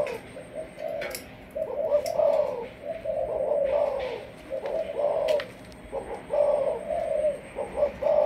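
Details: Caged Malaysian spotted dove with a 'sấm thổ' voice, offered for decoy training, delivering a long sequence of low cooing phrases, each a cluster of soft notes, with faint clicks and a thin high tone in the background.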